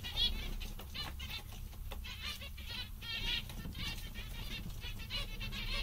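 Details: Contented zebra finches give overlapping nasal chirps and chatter in irregular bursts, mixed with rustling over a low hum.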